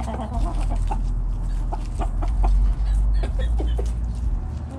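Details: Backyard flock of chickens foraging in the morning, quick irregular clucks, several per second at times, against a strong low rumble.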